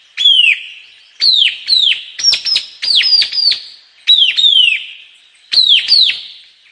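White-capped tanager giving loud, shrill, downward-slurred screeches in bursts of two to four, overlapping as if from several birds.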